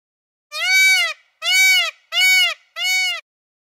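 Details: Indian peafowl giving four loud, nasal, wailing calls, each about half a second long with a gently arched pitch and spaced under a second apart, against an otherwise silent background.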